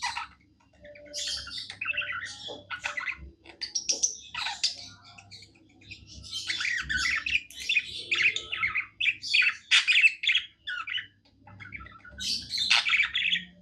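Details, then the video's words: Singing pet budgie in a happy mood, giving a long rambling chatter of scratchy, twittering notes that swells and fades, with a few quiet pauses and a steady low hum behind. "Happy budgie singing"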